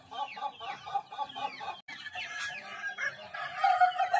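A laughing chicken crows in a long run of rapid, stuttering notes that rise and fall like laughter.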